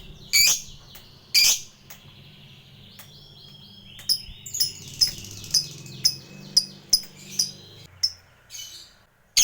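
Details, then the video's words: Fighter lovebird used as a lure to provoke a response: scattered sharp chirps and short shrill squeaks at irregular intervals, with a brief soft warble and faint low hum behind. "SUARA BURUNG LOVEBIRD INI CEPAT DI RESPON LAWAN, Pancingan Lovebird Fighter CEPAT Bikin Ngekek"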